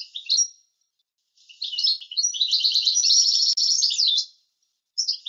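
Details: European goldfinch in a pure teaching recording, delivering a long, dense, high twittering and buzzy-trilled song of nearly three seconds, framed by short chirped fragments and quiet gaps.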